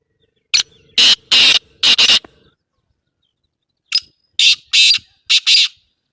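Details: Black francolin calling twice in succession, each phrase a sharp opening note followed by two long harsh rasping notes and two short ones, separated by a brief silence; loud, scratchy and high-pitched with no other sounds.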